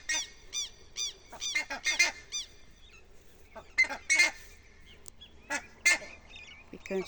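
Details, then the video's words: Four Buff-necked Ibises singing in a tree on a rural smallholding give loud, nasal, honking calls in uneven overlapping bursts, with a few quieter clicks between. "Canto dos curicacas"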